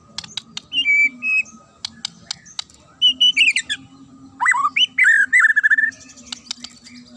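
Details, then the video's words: White-rumped shama, a caged fighter bird in Indonesia, in a varied song of sharp whistles, clicks and fast warbled phrases, sung in bursts separated by short pauses, over a steady low hum. "AKSI MURAI FIGHTER 2 LENGKINGAN SUARA TAJAM & JERNIH"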